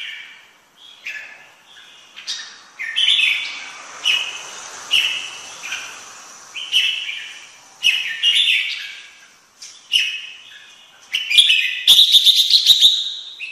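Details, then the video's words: Red-whiskered bulbul singing: lively, repeated whistled phrases about four per second, warbling and rich, with brief gaps, ending in a rapid run of sharp clicking notes. "Chim chào mào hót hay nhất năm 2017"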